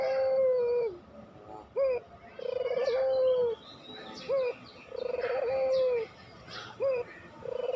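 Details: Barbary dove cooing in the pelung style, recorded as lure and training material for reluctant doves: drawn-out level coos alternating with brief upturned notes, roughly every two and a half seconds, with faint small-bird chirps in the background.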